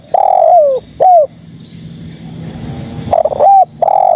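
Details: Female spotted dove calling males. It opens with the tail of a phrase, a long coo falling away and a short coo, then after a pause starts a new stuttered coo phrase.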